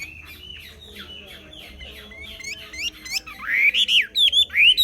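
Chinese hwamei singing: quiet, varied slurred whistles rising and falling, then a loud, rich burst of ringing phrases in quick succession.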